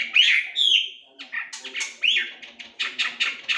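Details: Chinese hwamei song for training birds to sing actively: two bright whistled slurs open the phrase, followed by a quick series of short, sharp notes repeated several times a second.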